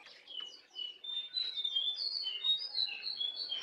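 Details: Jongkangan song used as a master recording for caged birds: a continuous, fast stream of high, thin chirps and short whistled notes, about three per second, slightly varied in pitch.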